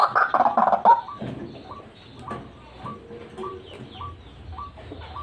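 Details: White-breasted waterhen (ruak-ruak) lure call: a brief loud harsh burst, then a steady series of short upward-hooked notes about every half second.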